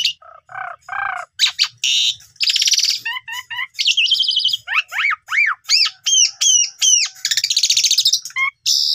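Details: Asian pied starling lure song, meant to make a silent young bird sing fully with its mimicked repertoire. Low chuckling notes give way to rasping bursts, looping whistles and repeated arched whistled notes, about two or three a second, in a varied torrent.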